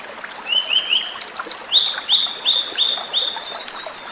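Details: Wild Blue-and-white Flycatcher song, flute-like and melodious: short, bright whistles rising in steps, then a steady series of similar downslurred notes repeated evenly about every third of a second, ending in a higher thin note.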